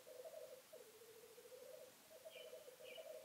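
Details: Lekking black grouse in the 2015 mating season, giving a sustained rolling, bubbling coo that rises and falls slightly in waves, with two short higher calls from another bird near the end.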